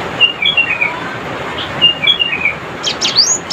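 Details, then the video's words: Cinereous tit calling rivals with brisk runs of short, slightly descending twittered notes, repeated twice, ending in a flurry of sharp high sweeping chips, over light background hiss. "suara crecetan burung GELATIK batu gacor"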